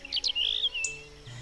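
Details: A European Robin singing in early spring (13 March 2019), likely proclaiming its territory: a quick, thin, high phrase of sliding, tumbling notes that rise and fall over a faint low steady hum.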